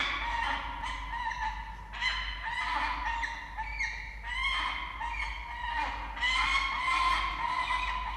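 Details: Wailing, harsh peregrine falcon calls in Australia as the male delivers a live starling to the female, who rejects it; nasal, harmonic cries repeat in uneven bursts about every second over a constant low hum.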